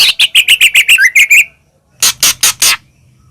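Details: White-rumped shama of the Medan type in full song, used as a lure to provoke other shamas into singing: nine rapid chirped notes near one pitch, a short pause, then four loud harsh broadband bursts.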